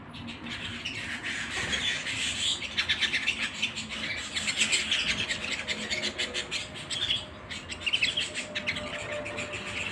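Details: Canary singing at home: dense, fast chirps and rattling trills pour out almost continuously, swelling louder in bursts around the middle and near the end, over a low steady background hum.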